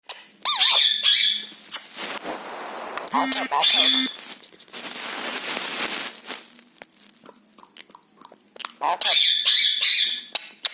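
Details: Pet parrot playing and eating indoors at home: sharp high-pitched squeals and whistled bursts come in bouts, broken by crinkly crackling and crunching noises and short quiet gaps.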